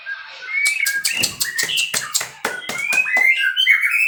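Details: White-rumped shama from captive breeding mixing rapid clicks and taps with short, rising whistled notes, building to a louder, bright warble at the end.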